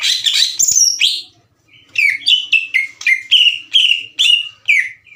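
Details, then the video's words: Green leafbird singing to provoke rival leafbirds into answering; a burst of chatter and whistles, a pause, then evenly spaced downslurred whistled notes repeated about every half second. "MASTERAN DAN PANCINGAN CUCAK IJO LAMBAT PANAS UNTUK MEMICU EMOSI LAWAN AGAR GACOR"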